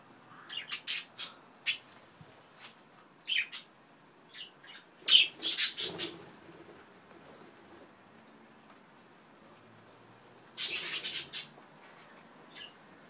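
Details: Budgerigars in an aviary shared with cockatiels give scratchy, high chirps and squawks in irregular bursts, with other parrots calling alongside.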